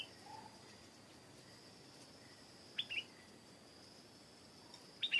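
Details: Two brief chirpy phrases from a stripe-throated bulbul, each a quick pair of bright notes, separated by a few seconds of quiet broken only by a constant high-pitched insect drone.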